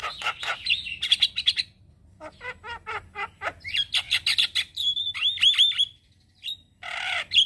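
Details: Singing male Javan myna, used as a lure and tutor for starlings in the morning: rattling chatter and squawky notes, a run of clipped calls, then a sustained whistle and a final harsh burst.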